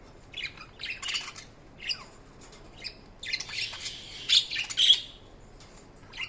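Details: Pet budgies chirping and squawking in separated short bursts, scratchy high notes and chatter, quieter gaps between, one longer buzzy outburst midway.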